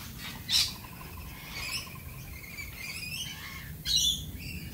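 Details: Australian galah giving two loud, harsh, high squawks, one near the start and one near the end, with fainter chattering calls between them over a quiet background.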